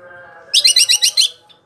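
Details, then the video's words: Greater green leafbird in a long rolling (ngerol) song: six quick buzzy, harmonic-rich notes in an even, pulsing run, over faint steady low tones like background music. "Suara Burung Cuc4k Ijo Ngerol Dur4si P4nj4ng"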